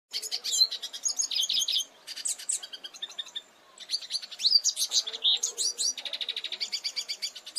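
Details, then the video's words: Goldfinch singing a rapid, varied twittering song of high chirps, buzzy notes and quick trills. It pauses briefly near the middle, then resumes with a steady run of repeated notes. "PINTASSILGO CANTANDO"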